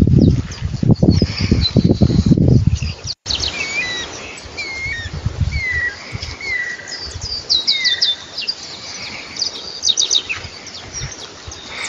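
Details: A saffron finch in its natural habitat gives short, sharp chirps and slurred whistled notes in loose bursts, after a few seconds of heavy wind rumble.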